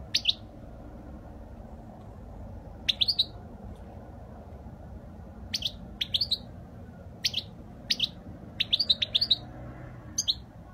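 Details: European goldfinch in flawless Spanish-style song, 2020: sparse bursts of two to four crisp, high tweets scattered over ten seconds, separated by quiet gaps, then a quicker cluster near the end.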